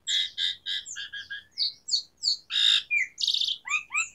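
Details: Actively singing Asian pied starling with varied fill-in notes: a steady run of harsh chattering notes, sliding whistles, a loud rasping burst, then quick upslurred squeaks, with faint background hiss.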